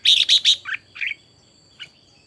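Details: Red-whiskered bulbul (chào mào), a bird trained to sing in the morning: three loud, harsh, high chirps in quick succession, then softer slurred notes trailing off, with a faint steady hum underneath.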